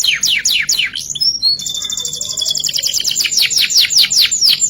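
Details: Canary song, ngerek style: series of quick downward-sweeping whistled notes, then a sustained high rolling trill of fast repeated notes that slow into separate swooping phrases.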